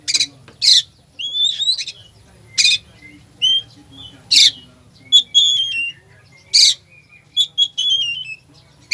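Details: Fill-in-rich Oriental magpie-robin song for provoking a slow magpie-robin: harsh explosive bursts roughly every second alternate with clear whistled phrases and falling glides, a soft background hum throughout.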